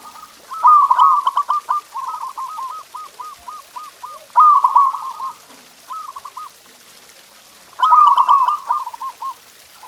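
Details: Masteran song of the zebra dove, known locally as perkutut, played to stimulate caged doves: three loud rolling trilled phrases, each followed by a string of softer separate coo notes.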